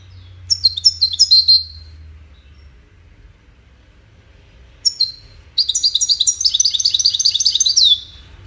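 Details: Singing goldfinch, courtship and communication song: a short run of high descending chirps, a pause, a few isolated notes, then an extended bubbling stream of rapid, sweet twittering ending in a falling slur.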